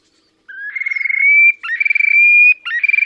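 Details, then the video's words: Displaying Terek sandpiper recorded 30 April 2019 in Russia's Oka Nature Reserve by the Pra river: rising notes lead into buzzy trilled whistles that smooth into long steady high tones, repeated in two linked phrases, quiet background. "Мородунка Xenus cinereus, токовые крики / Terek sandpiper song"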